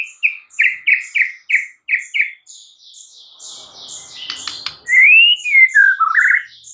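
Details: Morning song of a white-rumped shama: a quick series of short whistled notes, then a rich, rising-and-falling whistled phrase, over thin high chirping in the background.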